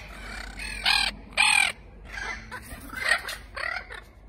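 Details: Spix's macaws (Cyanopsitta spixii), a species extinct in the wild, call out to one another with harsh, grating screeches: two loud ones close together, then several softer raspy calls trailing off over a few seconds.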